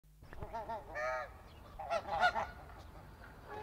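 Snow geese give nasal, yelping honks in quick overlapping bursts, several birds calling together in a noisy chorus.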